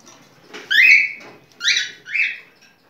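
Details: Cockatiel mating song: a clear upward-sliding whistle followed by two shorter rising, slightly buzzy whistled notes in quick succession.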